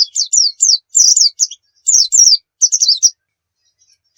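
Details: Oriental white-eye singing briskly for other birds to learn: clusters of high, down-slurred warbled notes in short phrases, broken by brief silences, ending in near quiet.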